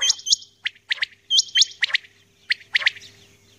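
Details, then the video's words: Early-morning calling of a female common quail: doubled hooked whistles alternating with clipped chirps, repeated at an uneven pace of about 47 per minute. "Batair Ki Awaz | Aj Suba ki Recording | Common Quail Calling | Female Quail Calling | Maadi Batair"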